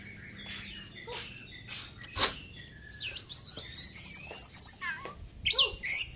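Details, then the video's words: ['After moulting, a caged white-breasted Oriental magpie-robin gives scattered sharp clicks, then a dense, insistent stream of high wavering whistles and trills mimicking small birds from about the halfway point.'] "KACER GACOR ISIAN BURUNG KECIL PEDES"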